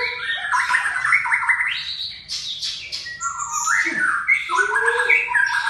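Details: Aceh-type white-rumped shama pours out a fast, dense medley of bright rising and falling whistles, buzzy trills and sharp chips, with a short lull near the middle and a few lower mellow notes, steady faint hum beneath.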